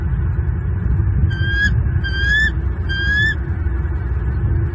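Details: Male bald eagle at a Southwest Florida nest hollering at an intruder to protect his two chicks: three short bursts of high, thin, stuttering notes, each slightly rising, over constant low rumbling noise.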